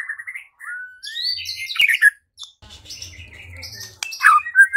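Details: White-rumped shama song for provoking singing and fighting: a long rising whistle, then fluttering higher notes, a brief pause, and mixed chattering phrases with a low hum behind.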